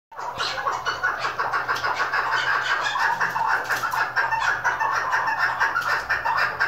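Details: Female chukar partridge, hunting-decoy sound, clucking in a fast, dense, chattering run of harsh notes, about two a second, with a steady low hum underneath; chukar partridge.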